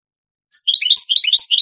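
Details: Granada-style European goldfinch song from an old Spanish cassette of the late 1980s to early 1990s, transferred to digital: after a brief silence, a rapid, high, liquid twitter of chirps and trilled notes runs on without pause.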